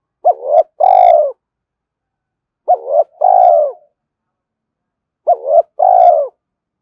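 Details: Spotted dove cooing to attract and provoke a rival: three matching two-part phrases, each a short arched coo followed by a longer throaty falling coo, repeated about every two and a half seconds with silence between.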